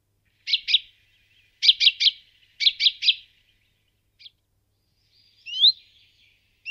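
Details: Common Chaffinch calling: bright clipped notes in a pair and then two quick triplets, followed by a lone thin upward-sweeping whistle; nothing else audible.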